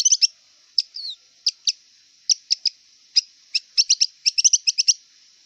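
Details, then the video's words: Song of a wild long-tailed shrike, made of sharp high clicking chips spaced irregularly, speeding into a quick chattering cluster near the end, with one short slurred whistle early on. "Kicau cendet liar"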